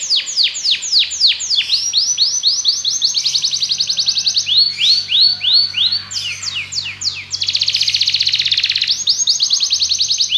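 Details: A Belgian canary sings a varied song, alternating downward-swooping whistles with dense buzzy trills and rolling phrases, changing pattern every couple of seconds over a faint low hum.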